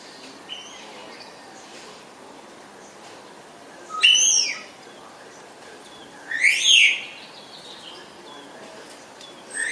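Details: Spotless starling giving loud, slurred whistles that sweep up and then down. Two main whistles come about three seconds apart, and a third starts at the end. Quiet background with a faint hiss between calls.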